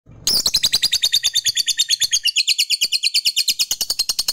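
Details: Fighter lovebird in long ngekek chatter meant to provoke rival males: an abrupt start, then a fast, even rattle of sharp high pulses, about seven a second, running on without pause.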